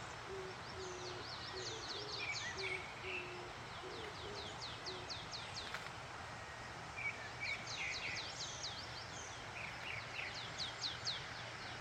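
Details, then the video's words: Morning birdsong in the Yumyeongsan mountains, South Korea, beside a stream: a soft low hooting series repeated early on, then bright high chirping runs and short trills, all over steady flowing water. "유명산의 아침을 깨우는 새소리"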